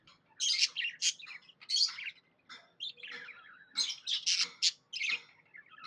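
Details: Pet budgerigar, described as happy, chirping in loud clusters of harsh, scratchy chirps separated by brief quieter gaps, a rapid twittering warble throughout.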